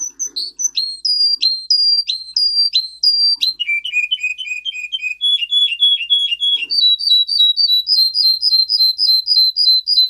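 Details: Russian singer canary in a canary training song: drooping whistled notes, a run of lower quick repeated notes, a mid-pitched series, then a long, fast chain of high chirps, sung continuously for about ten seconds.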